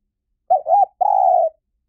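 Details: Low, mellow spotted dove coo used to attract wild doves: two quick linked notes, a brief pause, then one long even note gently sloping down, with a silent background.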